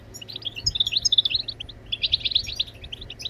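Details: European goldfinch singing, played to encourage other birds to sing: quick bubbling twitters of high clipped notes run together in two lively phrases.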